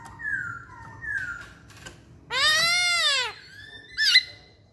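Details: Caged masked laughingthrush (poksay hongkong) singing indoors: clear whistled notes near the start, then a loud harsh harmonic-rich squeal lasting about a second, followed by a short sharp bent whistle.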